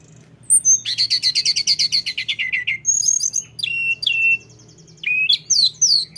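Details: Lesser shortwing, mountain tledekan, giving 'ngeroll' rolling song: a long fast series of evenly repeated chirps over two seconds, then high thin trills and falling whistled slurs.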